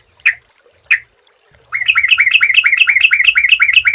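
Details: Sooty-headed bulbul lure recording: two short isolated chirps, then a fast run of bright, slightly descending chattery notes, about nine a second, continuing to the end over a soft low rumble.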